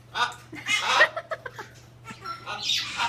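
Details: A captive Hyacinth macaw, perhaps trying to talk to a bird outside, gives unusual harsh, raspy squawks, quick clicks, then grating, almost speech-like noises over a low steady hum.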